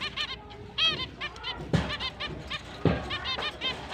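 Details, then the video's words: Happy chirping from finches as the mating season begins, October 29, 2023: a busy run of short, nasal, trumpet-like beeps, often in quick pairs, with a couple of sharp knocks among them. "Finch is breeding start Mating Season, Happy chirping sound"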